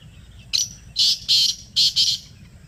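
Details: Black francolin calling in Pakistan in reply to a played call: a sharp opening note and four strong, harsh, buzzy bursts in two pairs, with low background hum.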